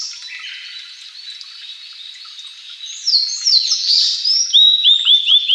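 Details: Blue-and-white flycatcher, one of Japan's three famed songbirds, singing; a soft high twitter builds into loud whistled downslurs, then a fast series of repeated short rising notes.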